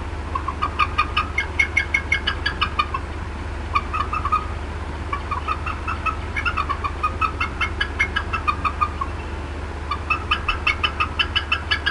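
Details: On 18 April 2016 at the Decorah North nest, the female bald eagle, disturbed, gives long runs of quick, high twittering clucks broken by short gaps, against a steady low electrical-like hum.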